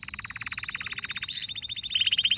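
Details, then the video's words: Male canary in an excited state delivering a steady, rapid pulsed rattle of identical notes that briefly shifts to a smoother whistle before the pulsing returns, louder and higher. "هيجان ذكرى كناري سيجبر كناريك على التغريد فورا"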